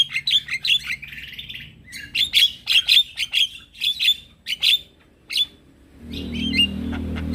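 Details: Lure call of a male Javan myna, used to draw replies from other mynas and starlings. Repeated clipped whistles and clicks come in quick bursts, followed by a pause, then a low hum and a brief squeaky phrase.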